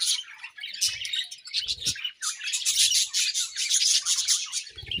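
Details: Several budgies at morning feeding time fill the space with dense, high chirps and scratchy warbling, broken by occasional low thumps from movement.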